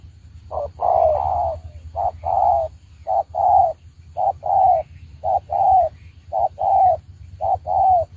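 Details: Spotted dove serving as a trapping decoy repeats its two-part coo about seven times, a short note then a longer falling one, steady roughly once per second, with a faint low rumble behind.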